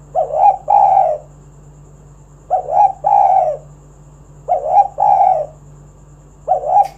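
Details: Spotted dove, a lively singer, cooing to lure other doves into singing: mellow two-part coos, a short note then a longer one, repeated about every two seconds over a steady low hum.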